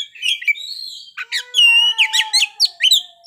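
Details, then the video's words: Oriental magpie-robin singing a playful song full of varied fill-in phrases: a few high chirps, a pause, then a loud burst of sharp whistled notes over a long, steady, lower whistle. "kacer ngeplay bongkar isian"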